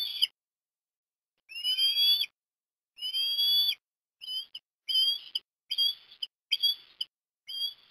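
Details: Osprey chick being fed fish at breakfast at Port Lincoln, Australia, on 17 December 2021; a series of clear, high whistled calls, some slightly rising, about eight in all, coming faster and shorter toward the end with quiet gaps between.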